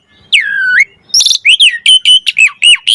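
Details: Asian pied starling song for lure and training use: a long dipping whistled slur, then a brisk series of about eight short harmonic-rich notes, each sharply rising or falling, delivered rapidly.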